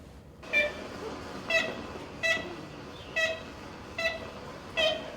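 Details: Archival 1935 recording of an Ivory-billed Woodpecker giving its distinctive kent call, possibly a mating or distress call, not pecking: six nasal, tooting notes, short and clipped, roughly a second apart over a hissy background.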